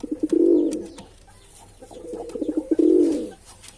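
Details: Male pigeon cooing twice: a swelling, purring low note, a lull, then quick soft lead-in notes and a second long rolled coo.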